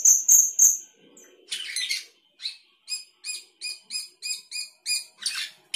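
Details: Sooty-headed bulbul singing actively with a varied fill-in song: three high whistled notes, a buzzy burst, then a brisk run of short stacked chirps repeated about four times a second.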